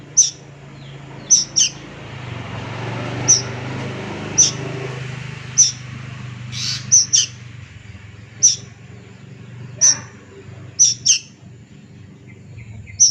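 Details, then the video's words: Plaintive cuckoo youngster calling with short, sharp, very high squeaks, singly and in doubled pairs, repeated irregularly over thirteen seconds above a low hum and soft background hiss. "SUARA BURUNG KEDASIH ANAK'AN"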